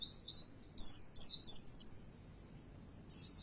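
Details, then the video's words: Oriental white-eye lure song meant to spark persistent, loud singing in listening birds: rapid, very high, sweeping twittered notes strung together for about a second and a half, a pause, then a brief high burst. "Nyaut Pleci Kalian Di Rumah Bila Dengar Suara Pancingan Ini"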